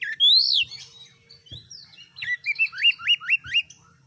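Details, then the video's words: Vigorous oriental magpie-robin song used to make other birds fighters: a loud sweeping rising-falling whistle, softer scratchy notes, then a quick series of six rising upslurred whistles, with faint low thumps. "MASTERAN KACER GACOR || Kacer gacor tes mental burung lain agar fighter"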